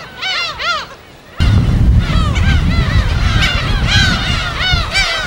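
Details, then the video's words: Gulls at their colony on an uninhabited West Sea island, Korea, recorded on site: two clear arched cries, then a deep roar of surf or wind joins under a busy chorus of repeated harmonic gull calls. "파도소리와 갈매기소리"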